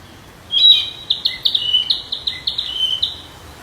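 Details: Wild flycatcher delivering about a dozen quick, evenly spaced high chirps on a steady pitch after an opening louder note.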